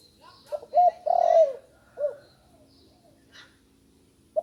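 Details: A juvenile spotted dove learning its call gives two short coos and a long, vibrating, descending coo, then a single separate short hoot a moment later. Faint rustling and high chirps sound in the background, and another coo starts at the end.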